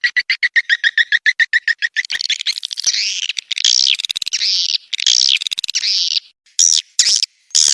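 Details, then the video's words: Swiftlet calls for luring birds into a swiftlet house: a steady run of evenly spaced chirps, then harsher buzzy squawks and broken twittering bursts. "suara panggil burung walet"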